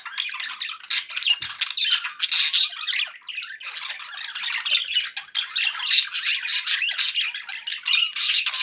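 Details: Steady, dense twittering of happy budgerigars kept as pets: buzzy warbled phrases, clicks and piercing chirps flowing on without pause, louder swells every few seconds.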